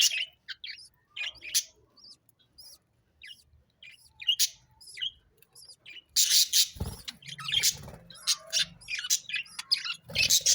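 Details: Sparrows give scattered, sharp single chirps for about six seconds, then break into a louder, denser chorus of overlapping chirps over a low rumble.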